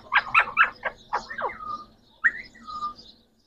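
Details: Captive green Pakistani parrots, three birds, talking: quick speech-like syllables with sliding tones, then a drawn-out level whistle, a pause, and a final rising note followed by another steady whistle.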